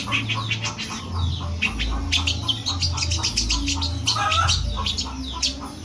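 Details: Lively long-tailed shrike song, imitating cat sounds: dense jumble of sharp chattering notes, brief descending slurs and a nasal squeal, steady low hum behind.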